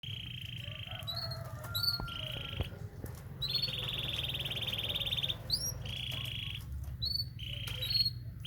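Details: Canary singing in the morning to encourage mating: long, steady, high rolled trills broken by short pauses, with brief whistled notes and small rising chirps between phrases, over a constant low hum.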